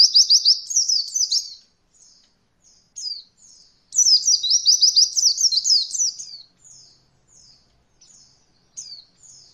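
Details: Training recording of an Oriental white-eye in the roll voll style, meant for beginner birds: fast high trills of sharp repeated notes, alternating with short downslurred whistles in the quieter gaps.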